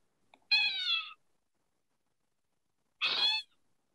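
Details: A breeding male Gray Catbird (Dumetella carolinensis) in summer, a bird that hides in bushes, gives two harsh, nasal, cat-like mews about two and a half seconds apart, each slightly slurred downward, in otherwise quiet surroundings.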